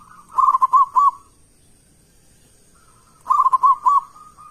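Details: Local zebra dove singing loudly with a big voice, used as a lure to make other doves answer: two phrases about three seconds apart, each a rapid burst of clipped, rolling mid-pitched coos trailing into a softer drawn note; faint steady high whine.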